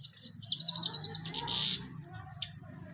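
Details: Goldfinch giving a dense, fast twittering song of high tinkling and buzzy notes, with a short harsher burst in the middle, over a steady low hum.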